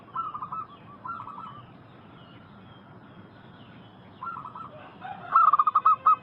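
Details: Local wild zebra doves singing, meant to lure wild doves to answer. Short bursts of muffled coos come from afar, then a nearby dove delivers a loud quick string of clipped cooing notes.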